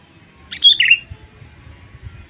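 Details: One short sooty-headed bulbul phrase, used as a lure for wild birds: bright high notes falling into lower chattering, followed by soft low thumps in the background.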